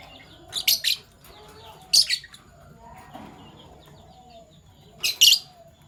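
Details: Morning chirping from Fischer's lovebirds, PB violet and euwing gold opaline colour forms: sharp, piercing screechy chirps in quick doubled pairs, separated by quiet stretches with soft background twittering.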